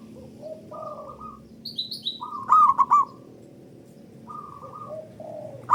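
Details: Local zebra dove song used as a lure for other doves, described as loud and long. Soft, low coos alternate with a loud triple-noted rolling coo. Small high chirps from other birds are scattered through.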